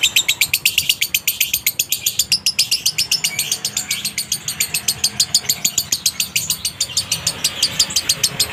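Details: Dry-toned konslet minor lovebird song, used to lure other lovebirds into singing: a long, rapid series of piercing chirps, closely spaced and steady throughout.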